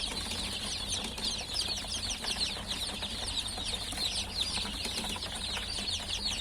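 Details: Many newly hatched chicks calling at once, their rapid high-pitched peeps merging into an unbroken, busy twittering wash over a quiet low drone.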